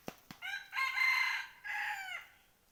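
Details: Red junglefowl used as a decoy to lure wild junglefowl, recorded 12/1/2021: a loud, harmonic crow in two parts, a rising start building to a sustained middle, then a separate drawn-out, falling tail, preceded by two sharp clicks.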